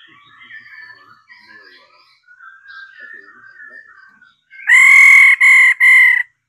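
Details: Female laughingthrush used to provoke males into singing, voicing 'ro' song. Quiet, jumbled whistled warbles come in short runs, followed by three loud, rasping, nasal bursts.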